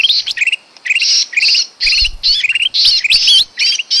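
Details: Sooty-headed bulbul lure call for bird trapping, made of irregular bursts of scratchy, twittering chatter with short pauses between them and a soft low thud partway through.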